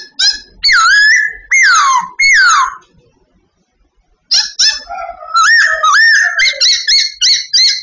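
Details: Loud babbler song from bird training: bold downward-sweeping whistles, a pause of over a second, then a busy sequence of bouncing, looping whistled notes.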